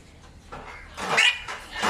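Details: Macaw parrot among its group letting out a harsh, grating screech that swells in loudness near the end, preceded by quieter rasping notes.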